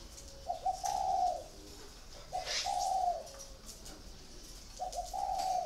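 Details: Spotted dove caller bird, caged for four years, cooing clearly: three soft, hollow, level coo phrases about two seconds apart, each a short stuttered start then a longer drawn-out note, with faint clicks behind.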